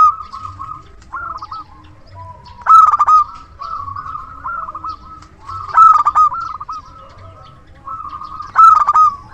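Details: Loud-voiced local zebra dove used to lure others: three strong, gritty coo bursts spaced about three seconds apart over a continuous layer of softer, rippling trilled cooing.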